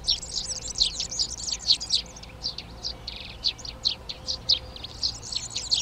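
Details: Tree sparrows (Passer montanus) settling into garden nest boxes in Přerov, Czech Republic, 19 March 2020. A dense run of high, sharp chirps comes first, then spaced single chirps, while other garden songbirds sing in the background.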